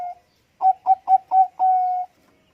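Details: Bangkok-type zebra dove singing actively in a big voice: a brief soft coo, a pause, then four quick rhythmic coo notes ending in one long, steady drawn-out tone.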